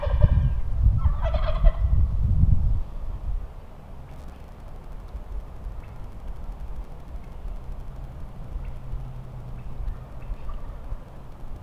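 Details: A wild turkey gobbler lets out one loud, rapid, rattling gobble lasting under three seconds on a windy Nebraska morning, near a large flock roosting in trees with jakes, then a quiet outdoor hush.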